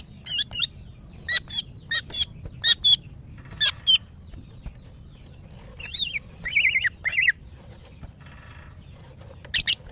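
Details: Female greater green leafbird in breeding condition, a kept bird calling males, repeats short high double chirps at steady intervals, then gives a few looping whistled notes and a last sharp chirp.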